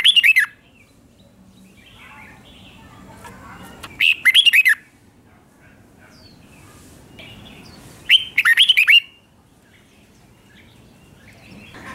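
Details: Doubled song of a red-whiskered bulbul, meant for young birds to learn: three short, rich whistled phrases of quick rising and falling notes, about four seconds apart, over a low background hiss.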